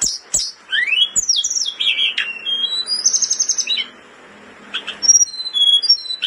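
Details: Blood-breasted flowerpecker in breeding condition, singing intensely for tutoring: sharp rising and falling whistles, a short fast trill, a brief pause, then thin high whistles.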